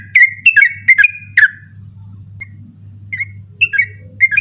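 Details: Sooty-headed bulbul at night, recorded as a tutor for other birds: a short burst of four loud whistled notes, then quieter scattered whistles after a gap, over a continuous low hum.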